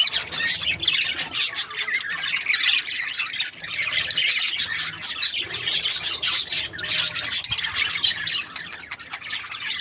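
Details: Budgerigars chirping in bursts: loud spells of squeaky group chatter swell and ease every second or two, with quick high twitters layered throughout.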